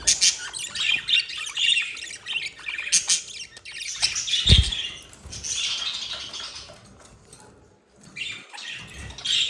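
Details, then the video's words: Two budgerigars described as in love, with buzzy high warbling and chirps, a soft thud midway, then the chatter fades to near silence before a final burst. "the budgie in love"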